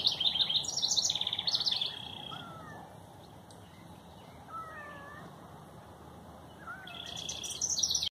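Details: A wren sings in a garden on a morning of heavy dew, bursting into loud, rapid, high trilling phrases, pausing, then starting again; soft lower whistles from other birds sound in the background.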